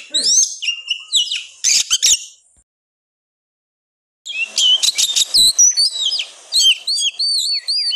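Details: Oriental magpie-robin (kacer) in persistent 'gacor ngotot' singing, used as a lure to rouse lazy magpie-robins into agitated song; rapid high whistled and chirping phrases with sharp swooping notes, bursts separated by a brief silent pause midway.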